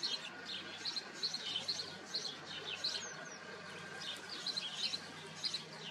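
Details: House sparrows in a colony: thin, quiet chirps repeated in clusters every half second or so above a broad steady background hiss.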